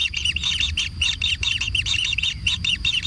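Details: Nestling kingfishers begging as they are fed at a natural nest: quick paired chirps, high and slightly squeaky, repeated several times a second in a steady, excited rhythm.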